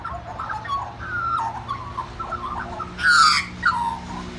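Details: Magpie singing at a family home, warbled fluting phrases interrupted by a loud, harsh, rasping outburst, with a steady low electrical hum behind.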